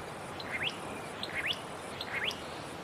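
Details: Satin flycatcher in fire-damaged forest, Namadgi National Park near Canberra, Australia, giving three clear rising whistled notes spaced under a second apart, each a fast upward sweep, against faint background hiss.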